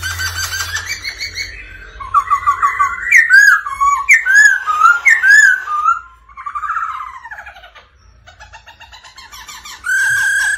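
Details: Black-throated laughingthrush song prompted by a female 'ro ro' call, the bird singing and displaying: a run of bouncing, looping whistles, descending in pitch and then fading, with a brief silence before a steady, loud tone.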